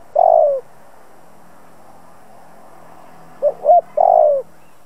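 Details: Spotted dove used as a decoy to provoke rival doves into cooing: a full descending coo, a long silence, then two short notes and another drawn-out falling coo.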